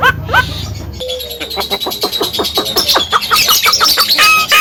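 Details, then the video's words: Javan myna, caged, loud and clear, pouring out a rapid train of short sharp chattering notes, about three per second, with high whistled tones toward the end and a low rumble at the start. "BURUNG JALAK KEBO BISA NGOMONG BERSUARA KERAS FAN LANTANG"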